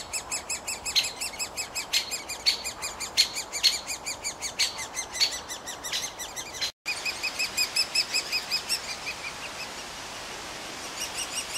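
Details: Woodpeckers at a tree hole give a busy stream of high, sharp chirps and ticks, about one or two each second, in overlapping bursts, with faint outdoor background.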